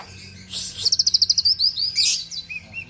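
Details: Argal-type oriental magpie-robin, a kept bird in Aceh, Indonesia, delivers a fast series of evenly spaced high chips that run into sweeping whistles and a sharp bright burst, over faint low hum.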